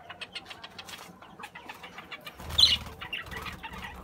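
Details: Young red-eyed budgerigars, newly raised chicks now ready to breed, kept in a colony aviary; dense high chirps and squeaky chatter overlapping throughout, swelling into a louder burst of calls midway, with soft low thumps beneath.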